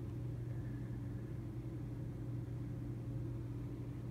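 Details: A steady low engine rumble with a constant hum fills the recording, and no animal calls are heard.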